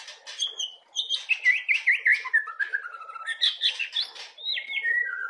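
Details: Continuous white-rumped shama song aimed at training young birds: fluid warbled zig-zag phrases, slurred downward whistles and scratchy notes running together without pause.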